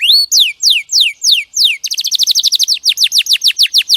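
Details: Canary tutor song from a champion bird: one upswept whistle, four slow falling whistles, then a rapid rattling series of short chips delivered steadily to the end.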